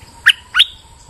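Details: Two loud, clear whistled notes, the second sliding upward, from a bulbul recorded in rainy weather.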